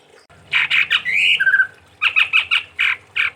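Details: Chestnut-winged Babbler, named as tepus tunggir merah (chestnut-rumped babbler), a cage bird from Sumatra, giving harsh chattering notes with a brief whistled slur, then about six short scratchy bursts roughly twice a second; low hum beneath.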